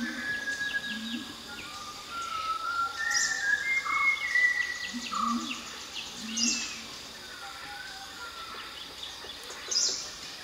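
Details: Malabar whistling thrush in Galibeedu, Madikeri, giving a rambling song of clear, human-like whistled phrases, with other birds chirping high and steady forest background noise.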